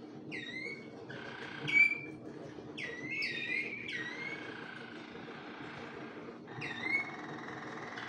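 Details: Malinois Waterslager canaries in song; clear whistled notes dropping in pitch, linked with sustained lower tones and rolling passages, with low background hum throughout.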